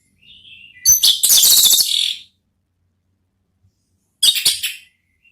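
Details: Orange-headed thrush giving 'ngeplong' style song meant to draw another thrush into replying; a soft whistle leads into a loud, rapid, high-pitched warbling burst, silence, then a shorter second burst.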